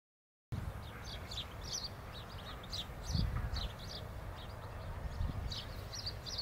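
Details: Peregrine falcons around copulation in Madrid on 26 February 2021: the female calls from atop a weather vane, recorded from far away by telescope, giving rapid, harsh chittering bursts over wind and city rumble.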